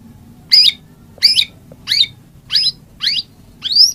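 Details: White-rumped shama song: six short, bright whistled phrases repeated roughly every 0.6 seconds, each a quick twisting high note, over a faint low hum.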